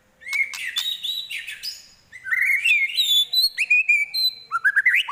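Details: White-rumped shama song loaded with imitations of prinia, kapas tembak and eagle, a rich mix of sliding whistles, buzzy trills and sharp chirps in two quick phrases with a short pause between.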